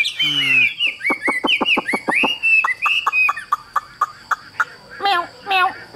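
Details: Caged Chinese hwamei singing nonstop, a bird that keeps singing even when its cage is carried: a rapid series of sharp downslurred notes, then clear sliding whistles and varied phrases, with a brief low nasal sound at the start.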